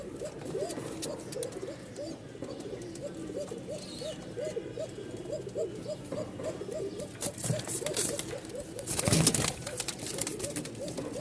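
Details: A pair of Kokka pigeons at a pigeon farm market in Mirpur, calling after being returned to their own place, giving a fast run of low, rolling coos, each note swelling and falling in a steady rhythm.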